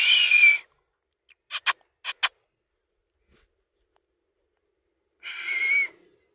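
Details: Talking parrot copying sounds: a breathy whistled burst, then four sharp clicking pops in two pairs, a long pause, and another hoarse whistled note.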